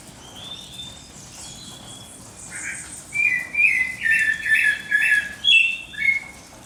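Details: Bird singing at dawn, a quiet start then a run of five or six loud warbled phrases repeated about every half second, over faint high chirping from other birds.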